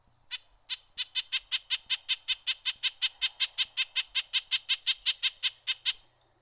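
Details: Red-breasted nuthatch; yank notes; communication between a mated pair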